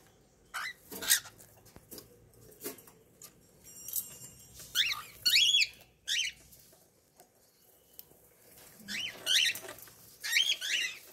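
Young cockatiels give short, raspy, squeaky chirps in scattered bursts, often two or three close together, over soft splashing and pattering of water.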